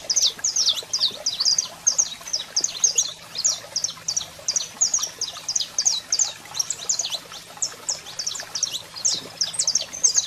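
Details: Male saffron finch singing a lot while a female calls, used to stimulate birds: long unbroken series of high, sharp, down-slurred chirps in rapid rhythmic clusters, steady throughout.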